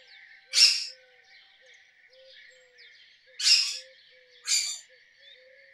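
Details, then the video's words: Rose-ringed parakeet giving isolated harsh screeches, spaced irregularly several seconds apart, with quiet chirping between. "Rose ringed parakeet Call"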